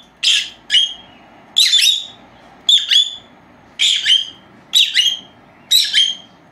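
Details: Captive pair of young female lovebirds, four months old, during their siesta; paired high chirps repeated roughly once a second, each a harsh note followed by a rising whistle.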